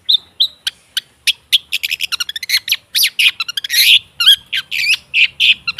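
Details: Varied long-tailed shrike singing, played to prompt a stalled shrike to sing: clear whistled notes, then quickening chips, scratchy rasping phrases and shrill slurred whistles tumbling together.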